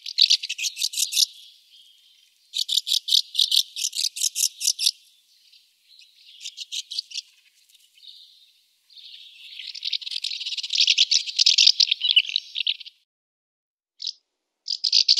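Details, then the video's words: Singing barn swallow, alternating rapid rattling trills with squeaky twittered phrases and short gaps, ending with sharp chirps. "Ev Kırlangıcı"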